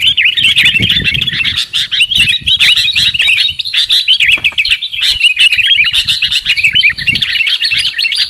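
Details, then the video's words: Sooty-headed bulbul lure call used to draw in birds for trapping: a dense, busy chatter of bubbly, overlapping chirps and twittering notes running without pause, with a faint low rumble underneath. "Suara PIKAT Burung KUTILANG"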